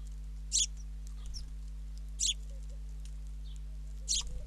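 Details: Father sparrow feeding a fledgling in Ram On, Israel; three sharp high harsh chirps spaced about 1.7 seconds apart, with faint quieter notes and a continuous low mechanical hum.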